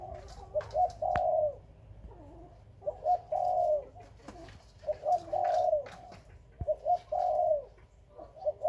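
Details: Khmer and Malay spotted doves kept as breeding birds, repeating their phrase about four times: two quick low notes, then a longer warbling coo that falls away. Sharp clicks and taps sound between the phrases.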